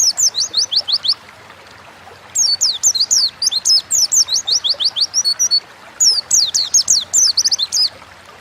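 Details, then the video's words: Kept Oriental white-eye singing a wild-style lure to prompt other birds to sing: three long runs of rapid, high, thin descending chirps separated by brief pauses, with a faint low hum. "Burung pleci gacor ngalas pancingan bahan agar cepat bunyi"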